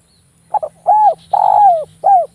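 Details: Sharp, dense cooing of a Javanese zebra dove kept for luring other doves: a quick two-part stutter, an arched coo, a prolonged throbbing downslurred coo, and a closing short coo.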